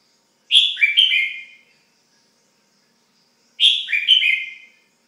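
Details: Red-whiskered bulbul, a kept pet bird, giving two loud, rich chirping phrases about three seconds apart, each a bright whistled note followed by quick slurred descending notes; quiet background.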